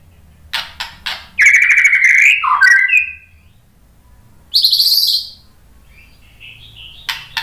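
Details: White-rumped shama pouring out a rich song meant to stir rival birds: scratchy clicks lead into a long warbling whistle that drops in pitch, then a high buzzy burst, and soft rising whistles.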